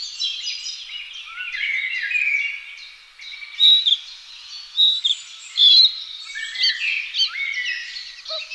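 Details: Two young Spotted Flycatchers being fed keep up a thin, high chatter of overlapping begging notes, with a few louder, sharp bursts as food arrives.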